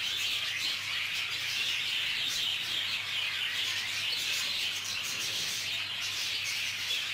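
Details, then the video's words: A crowd of budgerigars squabbling in a communal aviary fills the air with continuous shrill twittering and scratchy chirps that overlap without pause; a faint low hum runs underneath throughout. "اشتباك حقيقي بين طيور البادجي"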